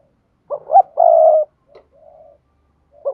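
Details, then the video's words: Spotted dove giving a vigorous urging coo, a recording meant to stir decoy birds: two short low hoots, then a long steady drawn-out coo lasting about half a second, with a softer trailing coo afterward and a fresh phrase beginning at the end. "Tiếng chim cu gáy thúc gù sung"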